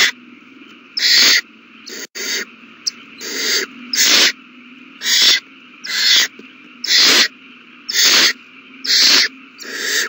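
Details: Owl nestlings at feeding time on 27 March 2020 give a steady series of loud hissing screeches, roughly one per second, with a faint click between some.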